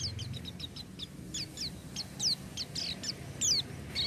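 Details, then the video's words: Oriental white-eye singing energetically: a fast stream of thin, high, descending notes, about three per second, against a constant loud background hiss. "pleci buka paruh tanpa doping gacor dor"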